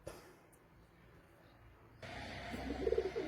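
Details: After a quiet start, a domestic pigeon with chicks gives a brief, low, throaty coo in the final second, with faint rustle; early morning in heavy fog, Rangpur, Bangladesh.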